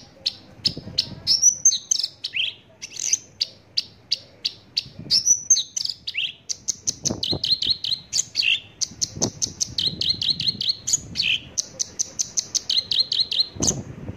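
Javan bush lark in a fast, unbroken song of sharp high chips and short trills, with phrases repeated in quick runs and a few slurred whistles; faint low thumps behind.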